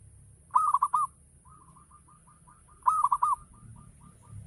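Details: Local zebra dove singing ngayer style as a lure for other doves: two fast rolling four-note coo phrases, each followed by a string of faint, short, evenly spaced softer notes.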